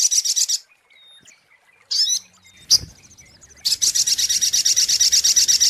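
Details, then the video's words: Sunbird lure recording, local name sogok ontong: a quick high trill, a pause with faint thin whistles, a twitter and a sharp chip, then a fast sustained series of high metallic notes. "SUARA PIKAT mp3 BURUNG SOGOK ONTONG PALING TOKCER"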